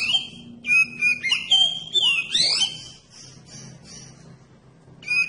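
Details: Oriental magpie-robin singing as a lure so that other magpie-robins answer. Loud, varied whistled phrases with looping slurs and quick sweeps are followed by softer repeated high notes over a faint low hum, and a final brief whistle.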